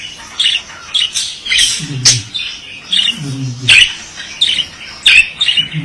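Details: Male budgerigar chattering in choppy bursts of squeaks and sharp clicks, with low, hoarse, croaking notes woven between the high phrases.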